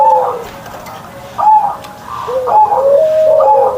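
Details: Kept zebra dove singing in the morning: a few soft, mellow coos with drawn-out gliding notes, separated by short quiet gaps.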